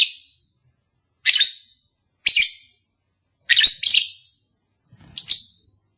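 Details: Kept lovebird calling, used to entice a pair to breed: six harsh, high chirps spaced about a second apart, some doubled, with clean silence in between.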